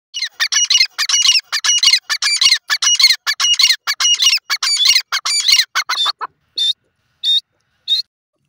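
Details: Several kept desi teetar (francolins) calling. A dense run of harsh, rapid, high-pitched squawking notes fills about six seconds, then three short, separate chirps follow. No other sounds.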